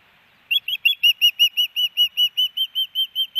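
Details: Female osprey at her nest in Hellgate Canyon, Missoula, Montana, calling for her mate on May 18, 2019, recorded by a nest camera: a long, steady series of about sixteen clear, high whistled chirps, roughly five per second.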